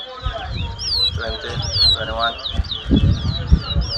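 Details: Chestnut-bellied seed finch, called towa towa, competing at a 2022 Mahaica, Guyana whistling contest: continuous sweet, swooping whistles, partly masked by loud human chatter.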